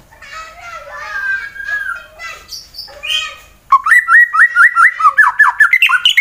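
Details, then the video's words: Fighter white-rumped shama from Central Java, Indonesia, singing to make rivals sing: soft warbled, mellow whistles at first, then a loud, evenly repeated series of rising notes, about two per second. "Murai BATU FIGHTER Bikin Emosi lawan langsung GACOR"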